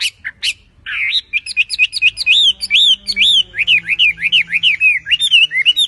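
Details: Chinese hwamei, a bird native to China, singing: a few sharp opening notes, then a fast, varied run of loud, high, slurred whistles, roughly two per second, some rising and some falling.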